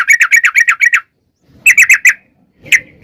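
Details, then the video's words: Trucukan bulbul, or yellow-vented bulbul, in energetic long-rolling song meant to provoke captive birds: a quick burst of about eight bright chattering notes, a pause, a shorter burst of five, then one lone chirp. "trucukan gacor NGALAS ROPEL PANJANG"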